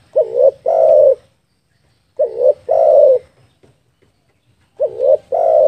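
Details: Spotted dove calling as a lure for trapping: low mellow cooing phrases, each a short wavering coo followed by a longer drawn-out coo, repeated three times about every two and a half seconds in quiet surroundings.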